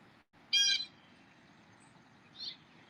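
A Blue Jay gives one loud, harsh, ringing call lasting about a third of a second, then a fainter short note two seconds later, over a quiet background hum.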